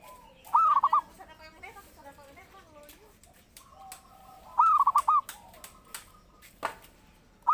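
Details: Zebra dove singing actively, recorded as a lure and master for training: two full rolling phrases about four seconds apart, each a long note then rapid short coos, plus the start of a third, with clicks and soft bird chatter.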